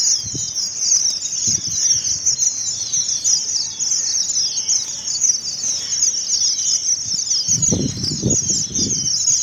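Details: Strawberry finches in Karachi singing: a continuous high, thin twittering chatter of many tiny notes, with low thumps and knocks from handling noise near the end.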